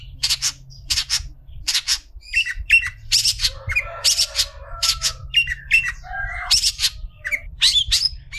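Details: Long-tailed shrike song recorded as a tutor for other shrikes: a long varied series of harsh clipped squawks, chirps and short whistled notes, with brief buzzy trills and a low hum behind.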